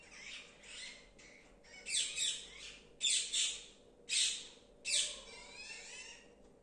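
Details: Alexandrine parakeets, a mother and baby, give harsh, raspy squawks in uneven bursts, about one a second, with louder grating calls standing out over a quiet background.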